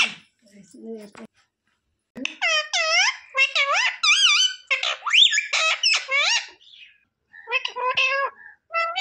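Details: Parrot mimicking human words at home, a string of squeaky, nasal speech-like syllables and whistled, wavering notes in rapid succession, with quiet gaps and faint music.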